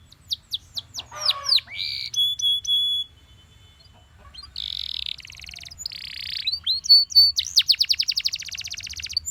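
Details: Belgian canary in morning song, opening with sharp chips and a descending sweep, then steady whistled tones, buzzy held notes, and a fast accelerating trill of repeated downward strokes at the end.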